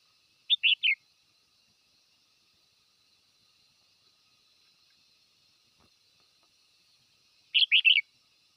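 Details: A red-whiskered bulbul calls the flock with two brisk three-note warbled phrases, one at the start and one repeated about seven seconds later, separated by silence.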